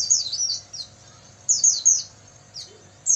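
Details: Oriental white-eye night song for caged-bird training: scattered high, falling chirps in small groups, fairly soft, with a steady low hum underneath.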